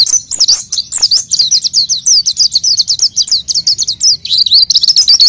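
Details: Continuous high twitter from an oriental white-eye, a gacor lure song for raw birds: quick chains of sharp slurred notes, nearly unbroken, with a soft background rumble.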